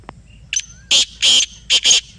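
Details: Answering a played call, a black francolin in Pakistan gives a brief thin note followed by four loud, coarse, grating bursts in quick rhythm over a quiet low background.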